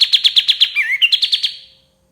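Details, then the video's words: White-shouldered triller song used to tutor songbirds: a rapid run of chirps broken by a lower warbled twist, then resuming briefly before fading. "MASTERAN KAPAS TEMBAK PALING DICARI 2024❗️KAPAS TEMBAK GACOR SUARA PAS BUAT MASTERAN BURUNG JUARA"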